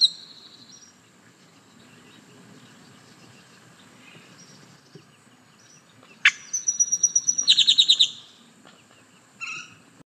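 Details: Great-tailed grackle song: a sharp upward-sweeping note, then a fast run of harsh, metallic, clicking notes lasting about two seconds. A brief burst follows after a pause. Faint background noise throughout.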